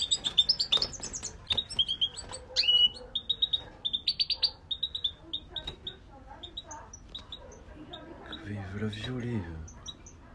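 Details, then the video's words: Warmed-up, aggressive male European goldfinch (cocheur) delivering fast liquid twitters and chattering trills in dense bursts, thinning to scattered high notes. A low human voice is heard near the end. "Mâle chardonneret cocheur agressif chaud chant."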